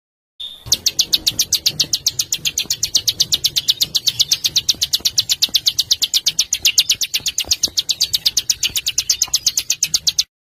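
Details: Small bird in harsh 'besetan' master style for training caged and contest birds, delivering a long unbroken series of high, grating notes at about four per second, very even throughout.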